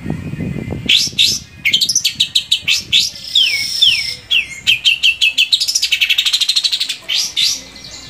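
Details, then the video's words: Long-tailed shrike song for prompting caged shrikes into singing: a varied sequence of sharp chips, downslurred whistles and quick trilled phrases, delivered in lively bursts. "SUARA BURUNG‼️Cendet mana aja yang gak mau gacor bila seperti ini"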